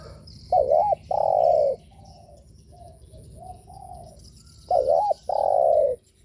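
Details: Spotted dove cooing for provoking other doves: a two-part phrase of a quick wavering coo and a drawn-out steady coo, soft lower murmurs between, then the same phrase repeated about four seconds later.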